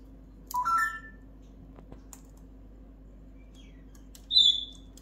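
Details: A Timneh African grey parrot (Psittacus timneh) talking, saying "Loki fahren...", gives a short, rising, voice-like utterance, then a thin high whistle about four seconds later, over a low steady hum.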